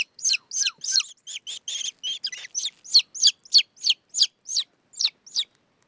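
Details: A Steppe Eagle chick in Afghanistan, being fed alongside a falcon chick raised with it, gives high, thin, scratchy notes about three times a second in a steady, insistent begging series, with nothing else heard.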